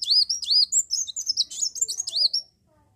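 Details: Energetic song of an Olive-backed sunbird, meant to lure other birds into singing: a dense, fast series of high, looping chirps and slurred whistles repeated for two and a half seconds, ending abruptly in silence.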